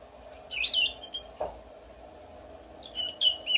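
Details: Pet parrot imitating whistles and its owner's sneezing: high squeaky whistled notes, a short sneeze-like burst, then more chirpy whistles over a steady background hum.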